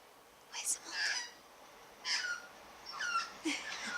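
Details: Pet Australian magpie, a grey-backed female that loves to sing, in a garden gives short, scratchy warbled phrases in bursts about a second apart, with a faint murmur of a person talking in the background.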